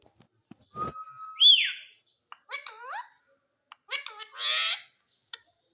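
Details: Green Indian ringneck parrot vocalizing: a thin steady whistle, a sharp sweeping squeal, then short rasping speech-like phrases and a harsh buzzy burst, with faint clicks between them.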